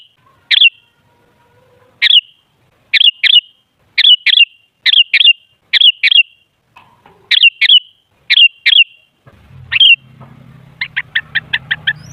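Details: Sooty-headed bulbul lure recording for making bulbuls chatty. Sharp whistled notes, single or paired, repeat steadily. Near the end a rapid series of six clipped chirps sounds over a low hum.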